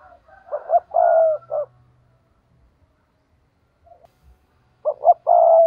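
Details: Spotted dove used as a decoy bird to lure rival wild doves, cooing twice: each phrase is two short rising notes followed by a long, steady, low coo, with a quiet gap of about three seconds between phrases.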